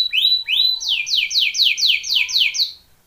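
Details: Canary singing for training: two rising slurred whistles, then a run of quick falling sweeps, about four per second, fading out at the end.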